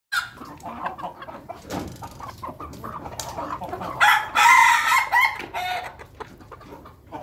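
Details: Ayam Ketawa chickens feeding together as a flock in their coop; low scattered clucks and pecking noises, then a louder drawn-out cackling call in the middle before the murmuring clucks resume.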